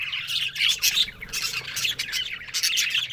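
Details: A flock of budgerigars talking, October 1: a thick, unbroken warble of fast chirps and scratchy squawks, with loud pulses roughly every half second.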